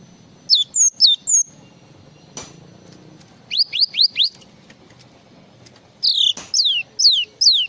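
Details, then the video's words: Java sparrow in varied full song: three falling whistles, a sharp click, four quick rising strokes, then four longer sliding notes that drop in pitch. "SUARA BURUNG GLATIK FULL ISIAN"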